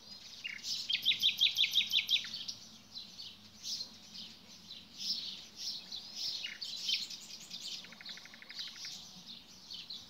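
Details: Outdoor nightingale song: a loud burst of rapidly repeated sharp notes, then quieter high twittering phrases, and later a buzzy machine-gun trill of evenly spaced notes, over constant faint hiss.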